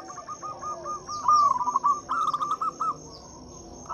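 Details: Local Zebra Dove singing as a lure to set silent doves singing: a stuttering phrase of quick coos building to louder rolling notes, ending in silence save a steady high whine.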